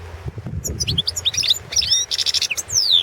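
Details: Balkan goldfinch (Carduelis carduelis balcanica) singing in a 2017 World Championship goldfinch song competition entry: rapid tinkling high twitters and short chirps, then a dense buzzy trill and a long descending whistled slur, over low rumbling background.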